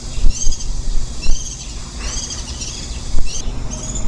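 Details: Warbling white-eye tending ten-day-old nestlings on the day before fledging, July 2018. Bright high chirps, some bent and downslurred, come in quick groups over heavy low-pitched rumble and occasional thumps.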